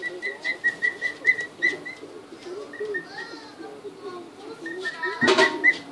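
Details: Two-week-old emu chicks on first sight of their new house, recorded February 2013: runs of soft whistled peeps, weaker midway, with low muttering noises and a loud thump near the end.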